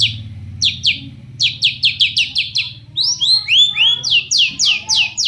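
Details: Long-tailed shrike singing to provoke other shrikes into responding: fast series of sharp downslurred chips, then rising whistled swoops, followed by more rapid chips. A low steady hum runs underneath.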